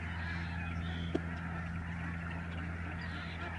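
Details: Large flock of migrating Lesser Snow Geese overhead, Canada, November 2011, heard as a blurred mass of honks over a steady low hum, with one sharp click-like sound.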